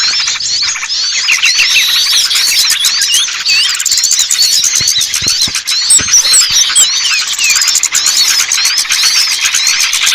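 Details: Lure call meant to bring down small birds that are hard to attract: a busy, unbroken tangle of high squeaky chirps, slurred whistles and rapid ticking notes from many small birds at once.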